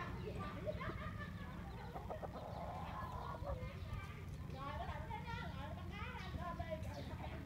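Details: A mother hen and her restless chicks are recorded in the morning on a road leading to a primary school in Bình Hòa, Vietnam, in 2022. Clucking and thin, wavering chick cheeps repeat over constant low background noise.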